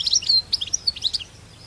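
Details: Wild goldfinch in countryside producing a short spray of sharp, high chirped notes, about a dozen quick twitters in just over a second, then quiet.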